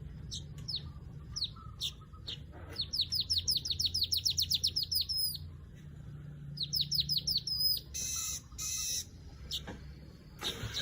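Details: Weaver with bursts of high, descending chirps: scattered notes first, then a long rapid string of downslurred chirps, a pause, and further chirping and harsher noisy bursts near the end.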